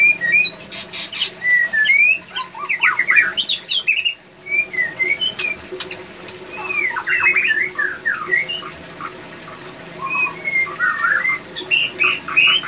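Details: Captive male White-rumped shama in breeding condition, pouring out lively phrases of quick whistles, sharp clicks and trills, pausing briefly before resuming with looped whistled notes; faint hum behind.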